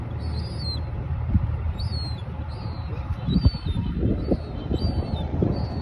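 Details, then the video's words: A juvenile herring gull gives thin, high squeaks, each slightly falling, about one a second, over a steady low rumble of wind or distant traffic. "High pitch squeaking sounds of juvenile herring gull"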